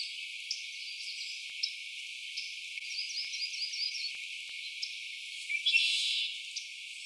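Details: Yellow-rumped Warblers at a Phragmites- and bush-edged lake in Prospect Park in the morning give scattered high, sharp chips and a short, quick run of even warbled notes, over a faint steady hiss.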